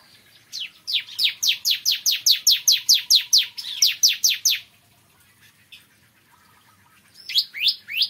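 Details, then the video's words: Bar-winged prinia singing in the morning: a fast run of about seventeen sharp, downslurred high chips, then a pause and a shorter renewed series. "Kicauan Ciblek Kristal Dipagi Hari"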